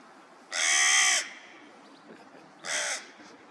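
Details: Crow cawing loudly while a little sparrow takes some food. One long harsh caw is followed after a short pause by a shorter, quieter caw. Faint background noise.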